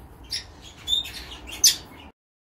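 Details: Caged breeding pair of red-rumped parrots in 2019, a turquoise (pastel) male with a blue female: short, high, thin chirps and squeaky notes scattered over two seconds, above a low steady background hum, then silence.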